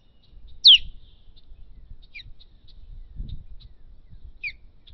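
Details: Osprey at a contested nest giving one loud, sharp, downward-sliding whistled call, followed by faint short chips and a softer repeat of the slurred whistle near the end over quiet low background noise.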